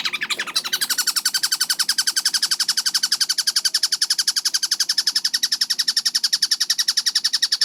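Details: Tengkek buto kingfisher on a fast-paced, clear training track. After a short disturbed start, a relentless train of grating notes runs at nearly four per second, tight and regular.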